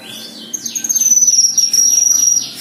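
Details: Black-winged myna (kinoi) in full, lively song: a run of rapid descending whistled notes repeated about every quarter second, over a sustained high pure whistle.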